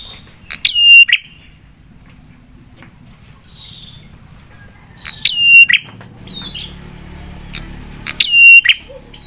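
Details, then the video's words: Prinia known locally as prenjak, its sharp song used as a lure to draw replies from other prinias. Three clicky whistled phrases come about every four seconds over a steady low hum, with a brief soft note between. "Prenjak suara PEDAS bikin prenjak lain cepat nyaut dan emosi"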